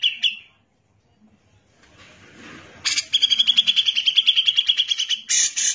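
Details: Grey-cheeked bulbul, known locally as cucak jenggot, singing vigorously for a song-training recording: a short opening phrase, a quiet pause, then a long rapid run of evenly pitched staccato notes ending in a harsh burst.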